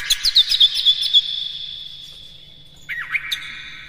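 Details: Oriental magpie-robin in full lively song, used as a lure to excite other magpie-robins: about a second of rapid, varied, sharp whistled notes and chirps, then a quiet pause and a short dipping whistled phrase.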